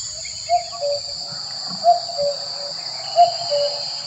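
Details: Male common cuckoo, excited to mate with a female, gives low two-note calls, a higher note dropping to a lower one, repeated roughly every one and a half seconds over a steady high buzz of insects.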